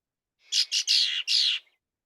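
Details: Female Red-winged Blackbird's aggressive song, given to drive another female from her territory: a harsher, rasping burst of four quick scratchy notes, the last two longer and buzzier, all high-pitched.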